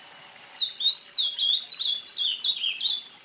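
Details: Song of the ultramarine grosbeak (azulão), a Brazilian songbird: a rich, warbled phrase of about ten quick slurred whistles, each dipping and rising, stepping gradually lower toward the end, over a quiet background.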